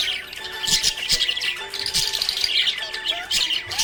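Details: Happy budgerigar chirping: dense bursts of high, scratchy chatter and short squeaky notes in quick irregular runs, with steady melodic music playing underneath throughout.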